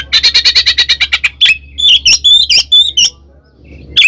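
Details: Oriental magpie-robin in provoking fighting song, ngekek style: rapid harsh chattering notes about ten in quick succession, then bright whistled phrases with sliding notes and a faint low hum beneath.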